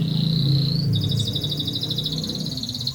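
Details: Canary singing the ngerol panjang long rolling song. A high, even, buzzy trill runs throughout over strong low rumbling background noise.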